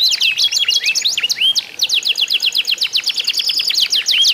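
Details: Canary song from a contest intended to make other canaries sing: jumbled sweeping whistles giving way to a rapid, evenly spaced high trill.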